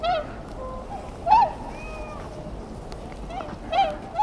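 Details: Tundra swans uttering short, nasal, yelping honks, four or five notes spaced irregularly over four seconds, against a soft background hiss.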